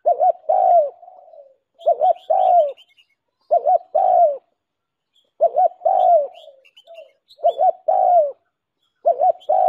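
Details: Spotted dove used as a decoy to make wild doves answer: deep hollow two-part coos, short doubled note then sliding longer note, repeated regularly about every two seconds, thin chirps of other birds behind.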